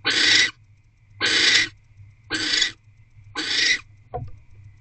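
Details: Nest-box barn owls at 8:50 pm in mid-January 2024, the male bringing prey before mating: four evenly spaced, raspy hiss bursts about a second apart, then a soft click.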